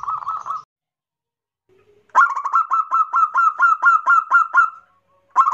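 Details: Loud kerot nguwor song of a local zebra dove, played so other doves join in: a short trill, a pause, then a long rapid series of bubbling coo notes, evenly spaced, ending abruptly before a restart.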